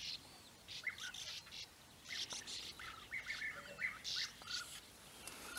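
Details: European bee-eaters calling in flat open country at Puszta Eldorado, where their nesting burrows are found: rough, rolling high calls in short bursts, mixed with thinner chirps from other birds.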